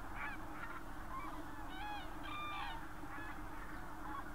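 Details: A flock of Common cranes in the countryside around Berlin, Germany, 24 October 2015. Clear ringing, harmonic trumpeting calls stand out mid-clip against a crowded background chorus and low rumble.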